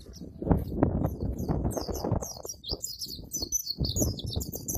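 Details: White-eye song of the ngalas and ngeroll styles, dense and varied: a rapid rolling series of high, sharply slurred twitters building through the passage, half-buried under heavy low background rumble.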